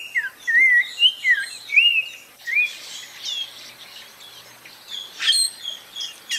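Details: Spot-breasted oriole (Icterus pectoralis) singing: a run of loud, rich whistled notes that loop up and down, about five phrases in the first two seconds, then softer, more broken whistles with other thin bird chirps in the background.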